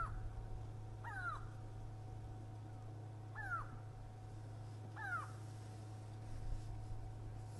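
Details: A grey go-away-bird at Djuma Game Reserve, South Africa, on an afternoon safari drive on 24 July 2011, gives three nasal, drawn-out "gwaaa" notes about two seconds apart, only the "go" part of its call, over a low engine rumble.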